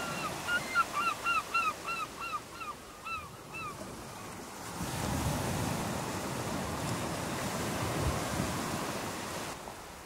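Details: A seagull on a beach gives a quick series of about a dozen harsh, slightly down-slurred notes, three or four a second, then surf washes in and takes over.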